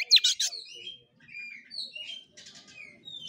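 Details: Oriental magpie-robin in kura kura fighting-style song: two loud, harsh chattering notes, then quieter thin whistles and soft buzzy trills.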